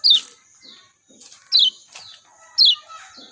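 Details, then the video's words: Lemon-bellied white-eye, Lombok bird, uttering loud, clear downward-slurred chirps roughly once a second, with softer thin notes between them and low dripping sounds beneath. "JOS GESIT SUARA JERNIH ALAMI BIKIN KECIAL KUNING CEPAT RESPON"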